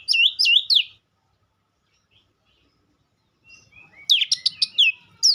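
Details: Two short bursts of rapid, bright whistled notes from a White-rumped shama at the start and end, separated by about three seconds of near silence.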